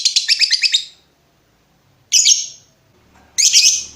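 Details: Lovebird calling, from a recording meant as master material for training other birds; a quick high rattling burst, then two separate sharp descending squeaky chirps after pauses.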